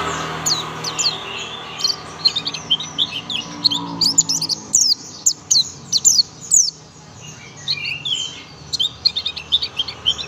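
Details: Young oriental white-eye of the buxtoni form, singing in the rapid 'tembakan' (shooting) style. High, thin, sharp chirps and quick trills come in short bursts separated by brief pauses, over faint low background hum.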